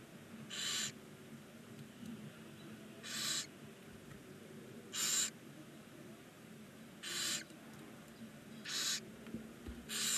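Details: Nine 19-day-old barn owl chicks in a chimney-mounted nest box at Ságvár, Hungary, produce six rasping hiss bursts, each about half a second long, spaced every one and a half to two seconds.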